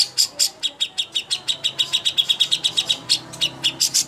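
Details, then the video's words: Greater green leafbird master song for contest birds: continuous rapid chatter of high, piercing notes, evenly paced, a few brighter higher notes near the start and end. "masteran ampuh untuk burung cucak hijau Lomba"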